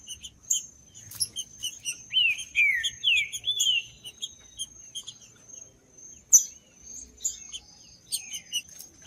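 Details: Green-winged saltator song meant to warm up a cold bird. A run of loud, clear, downward-slurred whistles mid-clip, with many short high chips and a continuous thin high tone throughout.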